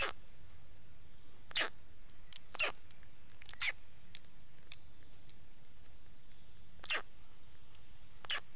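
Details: Black stork: short, harsh, broadband rasping bursts, six in under nine seconds at irregular gaps, over a steady low rumble of background noise.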